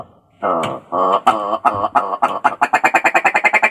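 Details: Willow ptarmigan (Lagopus lagopus), call.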